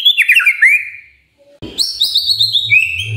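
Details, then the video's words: Brief burst of morning magpie-robin song used to stir quiet birds into answering: a quick run of tumbling whistles, a short pause, then high sustained chirps over a low hum. "Pancingan PAGI PAGI AGAR MURAI GACOR❗ murai diam pasti ikut NYAUT❗❗"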